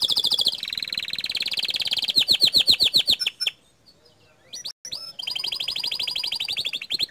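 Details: Bottle-green canary singing a tutor song whose bursts excite rival canaries: a sustained buzzy high roll breaking into pulsed notes, a short silence with a few sharp chips, then another long rapid rolling trill.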